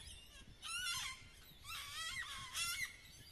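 Sulphur-crested cockatoos give three harsh, raucous screeches, each under a second long, grating and broad with a honking edge. No other sounds stand out.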